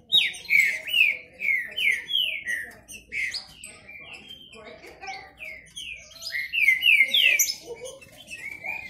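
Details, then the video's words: Rival Green-winged saltators kept by one owner sing in a disputa with macheado song: strong downward-sliding whistles in steady series, overlapping phrases growing busier toward the end. "Esquente seu trinca ferro disputa e macheado"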